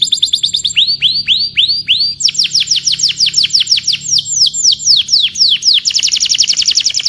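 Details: Canary singing, recorded to help other canaries master their song: rising then falling swept whistles give way to long runs of quick downward-slurred notes, ending in a fast buzzy trill.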